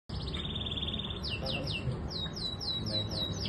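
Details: Canary song: a steady high trill followed by a run of quick downslurred whistles repeated in series, over a background of low hum and noise.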